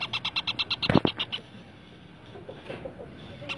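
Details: Rose-ringed parakeet chicks begging at feeding time. A rapid run of short, evenly spaced, harsh pulses, about eight in a second and a half, then a loud burst, with only quieter background noise after.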